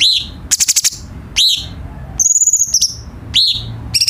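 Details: Cucak cungkok bulbul song as a tutor for training caged birds: arched whistled chirps, stuttering rattles and a high fine trill, repeated at short intervals.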